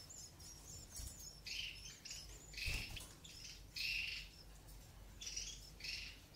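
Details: European goldfinch chicks begging loudly as the eumo-mutation female feeds them in an aviary, natural breeding; harsh, buzzy, insistent bursts lasting about half a second, repeated roughly every second, with faint twittering behind.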